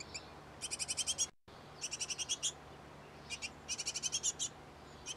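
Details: Great tit of a pair nesting in a nest box and busy tending the nest gives bursts of high, rapid ticking notes, six to eight per burst, repeated every second or so, with a brief silent gap midway.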